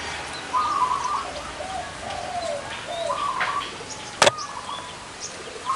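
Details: Zebra doves with big and small voices gathered at a site, singing rolling, trilled coos and lower drawn-out notes, interrupted by one loud sharp knock midway.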